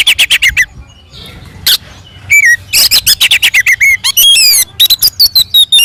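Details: Fighting song of an Oriental magpie-robin, played to provoke other magpie-robins to respond. Rapid bursts of sharp chips alternate with slurred whistles and ringing, bouncing notes in a dense, nonstop delivery.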